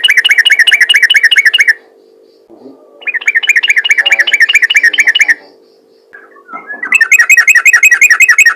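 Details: Sooty-headed bulbul in active, rapid-fire singing intended to prompt other bulbuls to sing; runs of quick, repeated bright chirps separated by silent gaps, a faint soft note or two between runs, constant low background hum.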